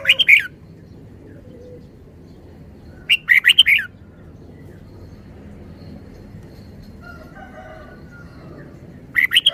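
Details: Red-whiskered bulbul singing three short, bright, warbled phrases about three seconds apart, each a quick run of rising and falling whistled notes, separated by quiet gaps with a faint crowing rooster far behind.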